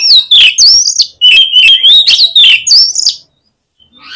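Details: Lure song of an oriental magpie-robin for rousing competing birds: fast, loud run of whistled notes with sharp rising and falling slurs, ending in a short quiet pause and a fresh note.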